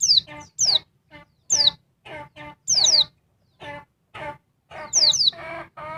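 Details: Agitated female oriental white-eye making a noisy racket that riles the male: repeated high, steeply falling buzzy notes, often doubled, interspersed with shorter lower chirps about every half second.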